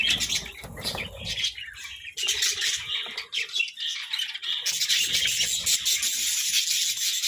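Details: Budgerigars at a vegetable feast chirp and squawk in a steady high-pitched chorus, harsher notes in the first seconds, then continuous warbling chatter.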